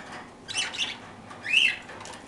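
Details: Parakeets eating toast give two bursts of harsh, buzzy chirps, the second brighter and briefly rising, over a quiet background.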